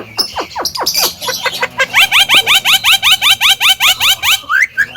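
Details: Javan myna song meant to provoke other birds: a few steep descending sweeps, then a fast run of upward-slurred whistled notes about four per second, ending in a short rising phrase.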